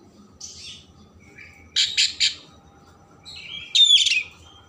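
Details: Oriental magpie-robin singing with rich content to stimulate emotion and tail opening. Sparse phrases: a soft high note, a short low whistle, three loud rasping bursts, then a bright harsh chattering phrase.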